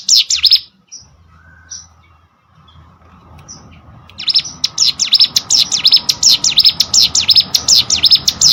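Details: A few sharp chirps from a ciblek sawah prinia, then near quiet with faint distant notes, before a fast, sustained run of high, repeated V-shaped chirps takes over.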